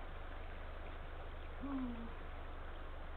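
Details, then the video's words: A single low, level-then-falling hoot from a male Eurasian eagle-owl calling the female near their nest on a February late afternoon in 2023, against a quiet hum. "Eagle Owl-Late Afternoon Visit"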